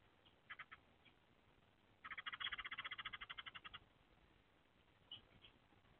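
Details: Eurasian tree sparrow at a nest box on 30 April 2024, early in egg-laying: the male arrives calling, peers in, then gives sharp chirps and a fast, harsh chattering burst of about eighteen notes before pecking the porch, followed by two more chirps.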